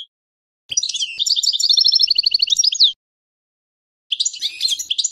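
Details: European goldfinch song of quick, repeated bright chirps and tinkling trills forming a long continuous phrase, then silence and a second burst of high twittering.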